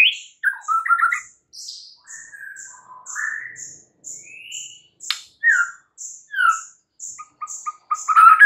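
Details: White-rumped shama in morning song: varied whistled slurs and short notes, with a steady series of very high thin pips in the background throughout.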